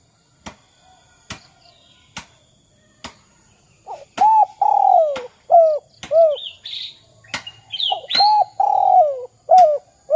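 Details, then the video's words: Spotted dove calling, used as a lure to get other doves to call: sharp clicks tick through the opening seconds, then a run of low, arched coos with one long drawn-out note, plus brief higher chirps from another bird. "Suara Derkuku kuk 2 | Cocok untuk masteran derkuku lainnya agar bongkar suara dan gacor"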